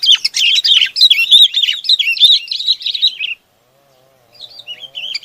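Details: Bulbul calling to its flock: a loud, rapid run of chirping, warbled notes that rise and fall for over three seconds, then a brief pause and softer twittering notes resume.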